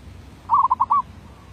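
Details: One derak labuh phrase from a decoy zebra dove recorded in 2019: a rapid rolling run of four or five mellow, beaded coos lasting about half a second, over low background rumble.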